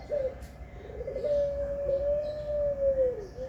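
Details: Pelung-type zebra dove giving one long, drawn-out low coo, level and slightly undulating before dropping at the close, against a constant background hum.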